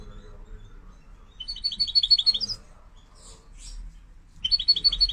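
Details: A white European goldfinch at the Casablanca bird market gives two bursts of quick, bright, tinkling twitters, high-pitched and slightly buzzy, with a soft low hum behind.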